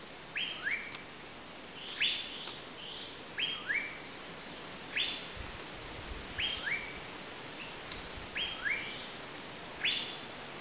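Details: Asian paradise flycatcher repeating rasping, buzzy calls about every one and a half seconds, many paired as a higher note sliding into a lower one, over low hiss with faint clicks.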